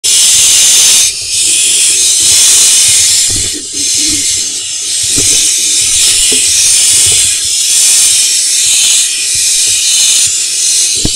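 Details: Barn owl nest box in Israel's Hula Valley, 30 June 2021, four nestlings hatched from 8 June; mother brings food, sees a pigeon and flees. A near-continuous harsh, breathy hiss runs throughout, swelling and fading with brief dips.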